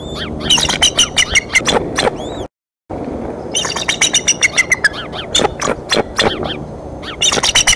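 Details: A mother eagle's sudden outburst at the Decorah nest, 30 March 2015, alarming both eaglets: fast, sharp chittering notes and slurred whistles in long runs, briefly cut off, over a steady rumble.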